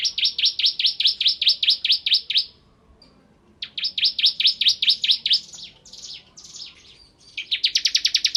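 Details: Bar-winged prinia (ciblek kristal) with 'nembak ngebren' rapid song: repeated bursts of quick, high buzzy notes, a pause, more runs with scattered twitters, and a final dense trill.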